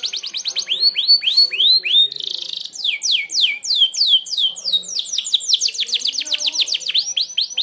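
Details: Merlok canary delivering a sharp "tembakan" (shot) song, used for training other birds: rapid series of rising, whistled sweeping notes, repeated several times a second, broken by a brief buzzy burst.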